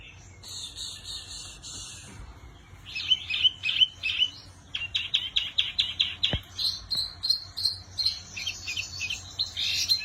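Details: Energetic song from a Wambi Mini: a raspy buzzing opening, then fast strings of sharp high chirps and tweets, varied and continuous, with one brief click midway and a soft hum behind.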